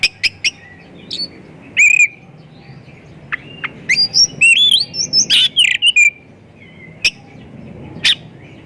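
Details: White-rumped shama delivering a rich, varied lure song to prompt other shamas to sing: clear whistles, rising high notes and a fast mixed run of chirps and harsh notes, with spaced sharp clicks.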